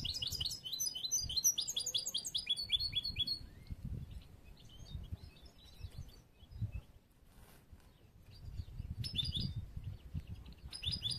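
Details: Young European goldfinch of the bruno amarillo mutation, hatched late this year, with immature song still in training for song contests: rapid metallic trilled phrases and twittering notes, with a pause midway and steady low rumbling underneath.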